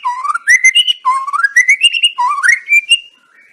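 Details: White-rumped shama song meant to make another shama sing and boldly attack: three clear whistled phrases, each starting low and rising in steps over about a second, with short gaps between.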